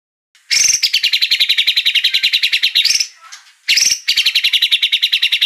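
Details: White-rumped shama song used as a lure to provoke another bird into singing: a fast, even trill of sharp, repeated notes lasting about two seconds, a brief pause with a faint slur, then a second rapid trill.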